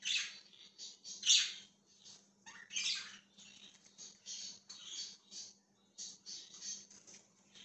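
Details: Budgerigar on January 20, 2023, chattering busily with buzzy, scratchy chirps of varying loudness, one sharp squawk early on, over a faint indoor hum.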